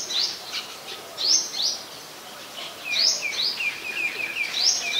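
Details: Calls of the White-vented myna, Ubon Ratchathani, Thailand, 18 January 2021: clusters of shrill upswept chirps about every one and a half seconds, mixed with short chattering notes, against faint ambient hiss.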